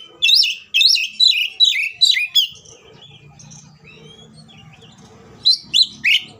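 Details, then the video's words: Oriental magpie-robin in an agitated fighting song, used as a lure to make other magpie-robins sing; loud, sharp downslurred whistles repeated about three per second, a quieter warbling pause, then three more strident notes. "KACER GACOR NGEPLONG NGOTOT TARUNG FULL ISIN❗AMPUH BUAT PANCINGAN KACER AGAR BUNYI SEKETIKA EMOSI!"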